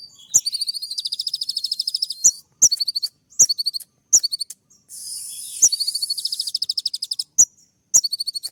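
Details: Singing olive-backed sunbird courting a female with sharp 'shooting' notes: long rapid metallic trills, short sputtering chips and high slurred whistles, with a hissy buzzing stretch midway.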